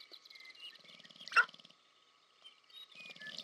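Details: Courtship display of sharp-tailed grouse on the American Prairie Reserve in Montana, USA: soft pulsed low rattles and thin tones, one loud sudden sharp call in the middle, then quieter rattling resuming at the end.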